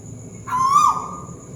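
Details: One hollow hoot from a Malaysian tuwu bird (scops owl) calling overhead, a short whistled note that rises slightly and then falls away.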